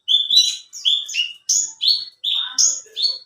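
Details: Competition-kept alinea Horsfield's bush lark singing vigorously: a lively string of varied whistled and slurred notes, jumping between high and mid pitch in quick phrases of about half a second, with brief pauses.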